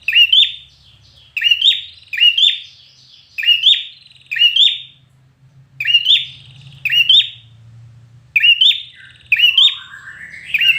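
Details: Red-whiskered bulbul trained for singing contests, in fired-up competition song: loud, short whistled phrases with rising and falling notes, repeated about every second in bursts, with a brief rising slur near the end and a faint low hum behind.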